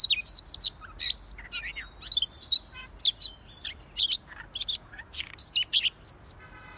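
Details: Rapid, jumbled high song of a Siberian rubythroat singing in gacor fashion: twittering, buzzy and whistled notes in quick succession, steady throughout.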